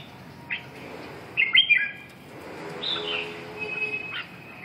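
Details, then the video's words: Red-whiskered bulbul giving sparse song notes: an isolated chirp, then a short bright warbled phrase, a slurred descending phrase and a faint final note, separated by quiet gaps with low hum. "chim Chào mào"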